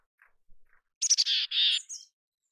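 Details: Mountain chickadee in natural habitat: faint soft notes, then quick clicky chips running into two long, harsh buzzy 'dee' notes, with a few thin high notes at the end.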